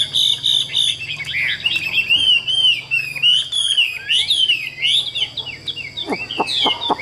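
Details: Largely tame caged Chinese hwamei from a Vietnamese seller sings a varied, lively warble of looping whistled notes and quick trills, ending with a few sharp clicks.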